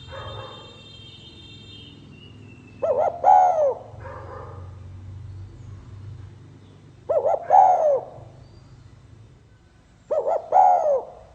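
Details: Three phrases of spotted dove song in the 'pha kim' style, roughly every four seconds. Each has two short hoots and then a long coo bending downward, with fainter cooing between and a steady low hum.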